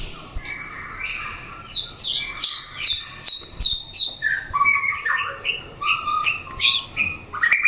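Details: Caged white-rumped shama in a fighting test delivers a fast stream of clear whistled notes and chirps, phrases shifting up and down in pitch with sharp clicks between them, nearly continuous.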